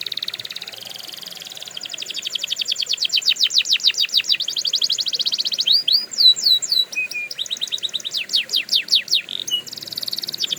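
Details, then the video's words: Canary training song: it opens with a soft high buzz, then builds into loud, rhythmic trills of descending notes repeated many times a second. Brief flat piping notes and a chattering run break it up before the trills resume. "Canary Owners Love This Trick – Endless Singing Guaranteed!"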